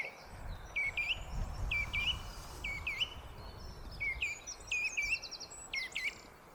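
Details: On a foggy day a song thrush repeats brief whistled phrases, each ending in a rising flick, roughly once a second, with a few higher twittering notes mixed in and low rumbling noise beneath.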